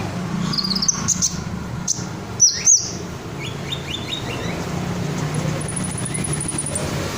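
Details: Ngobra-style song of a red sunbird, used as a master recording for songbirds such as murai batu and kacer: a few high sharp chirps, then a quick run of short descending notes and a long thin high trill, over low background noise.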